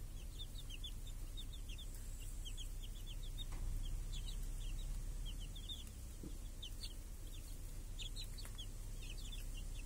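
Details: Chicks hunting flies with hens under a protective cage in a village on a clear summer day keep up a steady, dense chorus of high, sharp peeps, roughly four a second, over a low rural hum.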